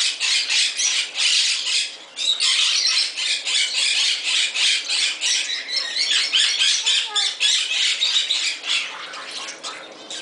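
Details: A Moluccan cockatoo kept as a pet in a bird shop in Summerville, South Carolina, having fun, gives harsh, loud screeching squawks in rapid bursts, several per second, with brief pauses between runs.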